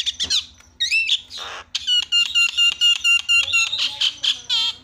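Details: Javan myna lure calls meant to set other mynas calling: a few harsh squawks, then a run of about a dozen rapid, evenly repeated bright whistled notes with ringing overtones, ending in rougher chatter.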